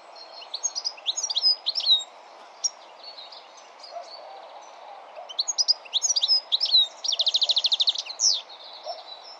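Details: European goldfinch singing its melodic song: bursts of quick tinkling, twittering high notes, a pause, then more twitters and a fast, evenly pulsed buzzy trill near the end, over steady low background hiss.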